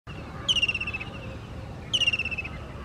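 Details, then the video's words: Indian kingfisher giving two high, rattling trills, each sliding downward and lasting about half a second, spaced over a second apart, above a steady low background hiss. "Kingfisher's Call"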